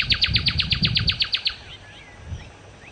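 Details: Nightingale (sikatan londo) delivers a fast train of about twelve crisp repeated notes over low background rumble, followed by a few faint thin whistles.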